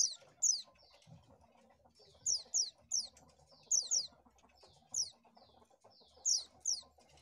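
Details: Oriental white-eye sound used to lure birds: pairs of sharp, high, downward-slurred chirps repeating every second or so over a faint low rumble.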